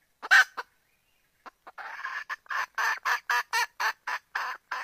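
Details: Female junglefowl calling to a male to mate, her calls said to draw the rooster closer: two loud harsh notes, a pause, then a steady run of short raspy clucks repeated about three times a second.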